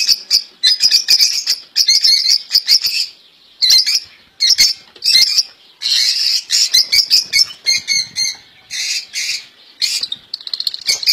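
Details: European goldfinches in a cage, known as royal goldfinches, singing what is called a faultless song: long stretches of fast, chattering twitters and buzzy trills with brief gaps between phrases.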